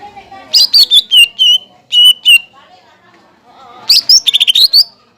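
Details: Caged greater green leafbird song used to trigger singing in other birds: short bursts of loud whistled notes, slurred downward, separated by brief silences, ending in a quick rising trill.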